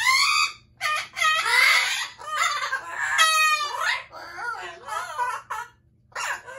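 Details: Loud Amazon parrot calling: a near-continuous run of grating screeches, wavering squawks and a rasping harsh note, coming in quick bursts with short gaps, steady low hum behind.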